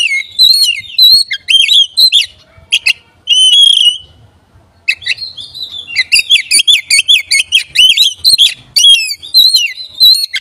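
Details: Oriental magpie-robin song used to provoke other magpie-robins: dense varied whistles and chirps, a sustained bright note, a brief lull, then a long lively sequence of rapid looping and sliding notes.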